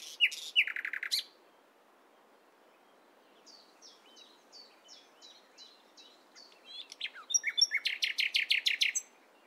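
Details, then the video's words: Morning song of a nightingale: a fast rattling burst of notes opens, followed by a run of soft, evenly spaced whistles, then a loud rapid string of about a dozen harsh repeated notes. "Nightingale Singing In The Morning"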